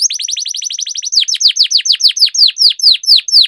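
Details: Canary song in the rolling 'ngerol' style, played to prompt idle canaries to sing: a quick run of short high notes, then a steady series of sharp, downward-sliding whistles, about four a second.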